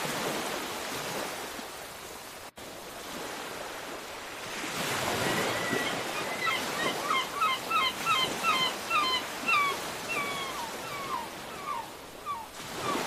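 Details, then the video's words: Gulls on a beach give a rapid series of sharp, repeated calls over the steady roar of breaking surf, after several seconds of waves alone. "SUARA BURUNG CAMAR | WAVE & SEAGULL SOUND"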